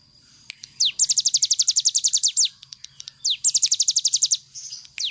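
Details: Cigun bird in full 'nembak' song, recorded as a model for other birds: two bursts of very rapid, high, descending whistles, each led by a swooping note, with soft low background hum.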